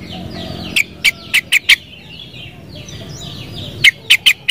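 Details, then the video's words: Sooty-headed bulbul delivering a rapid series of five loud, bubbly notes, a pause, then four more. A dense backdrop of chirping birds continues throughout. "Suara Burung KUTILANG"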